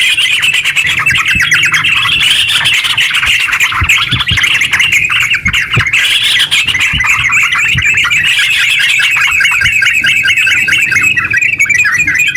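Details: Sooty-headed bulbul singing fast, extended ngeropel song to spur other bulbuls: smooth rolling stream of warbled notes for twelve seconds, accompanied by scattered soft thumps and rapid high ticking.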